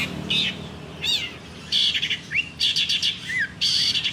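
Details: Local Banyuwangi long-tailed shrike from Indonesia, kept caged and known for imitating other birds: harsh buzzy bursts alternate with slurred whistled notes that rise and fall.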